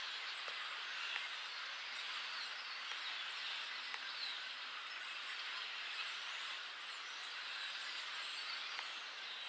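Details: A flock of about 200 blackbirds keeps up a dense, unbroken chatter of overlapping squeaks, clucks and harsh notes, with a few sharper clicks popping out.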